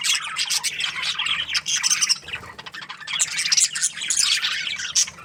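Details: Budgies chirping together in the morning: a dense, continuous flock chatter of scratchy high chirps and squawks, pausing briefly near the middle before swelling again.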